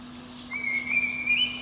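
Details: Spring dawn singing of a Eurasian blackbird at the top of a pine beneath a window. A single clear whistled note rises gradually and ends in a brief higher flourish, over a steady hum.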